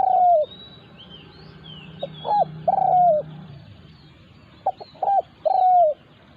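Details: A wild resident spotted dove confronts a decoy bird. There are three coo phrases, each made of brief clipped notes followed by a sustained falling croo. High twittering of other birds and a low hum sound underneath.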